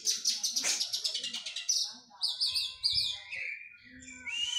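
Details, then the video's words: Oriental magpie-robin in physical training after the moult. A fast, pulsing trill of buzzy notes flows into repeated looping whistles, then lower slurred whistles and a rising note. Faint low thumps sound in the background. "KACER PRO HYPER LATIHAN FISIK PASKA MABUNG"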